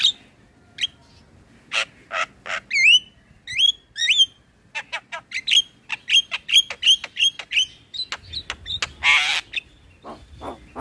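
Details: Male black-winged starling lure song for training birds: scattered harsh chips, then a run of rising whistled notes about every half second, a rasping burst, and more clicks.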